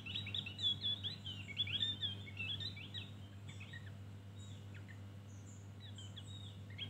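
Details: Javan grey-throated white-eye, Opior Jawa, in ngeriwik style: quick bursts of high, sharply bent chirps and short sweeping notes in the first few seconds, then sparser scattered chirps over a steady low electrical hum.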